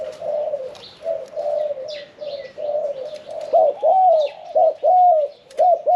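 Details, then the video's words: Caged spotted dove, a middle-voiced singer of the 'khan yon 1 kuk' style, kept one year and four months. A run of low coos builds into loud, arched, hooked notes repeated about once a second, with faint chirps behind. "ฟังเสียงขันนกเขาใหญ่ { ขันโยน 1 กุก} ,{นกเสียงกลาง}"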